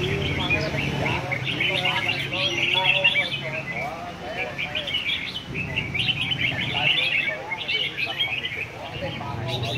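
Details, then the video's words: Red-whiskered bulbuls singing at a competition among caged birds: a steady run of quick, varied chirps and warbles, several birds overlapping, with people talking softly in the background. "Chào mào A lưới chơi giàn quá đẹp"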